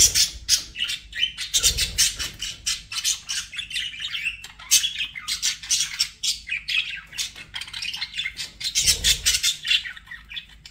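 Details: Pet budgies chirping in quick, rhythmic bursts of sharp, high notes and buzzy warbles, with occasional low thumps in the background.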